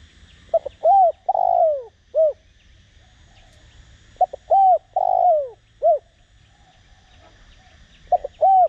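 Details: Spotted dove, cu đất, singing a decoy coo in the Đồng Rặc voice style: phrases of short notes, hoots and a long rough descending coo, repeated about every four seconds, faint chirping birds behind.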